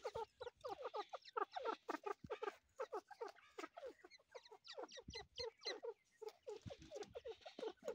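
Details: Grey partridge chick giving rapid, irregular series of short falling notes with bright overtones, slowing briefly in the middle before picking up again.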